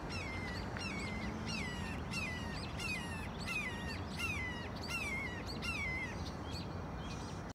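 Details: Hawk calling on June 11, 2020, just before songbirds chased it away: repeated high whistled notes sliding downward, roughly one every second, over steady outdoor background noise.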